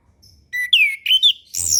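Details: Tutor song of an orange-headed thrush for young birds just learning to sing: a soft whistle, then a swooping downslurred note and two higher bent whistles, ending in a short burst of harsh noise.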